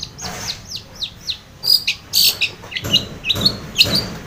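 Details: Long-tailed shrike in lively song, played to coax a silent shrike into answering. A run of high down-slurred whistled notes about three per second gives way to scratchy, squawking phrases and chirps.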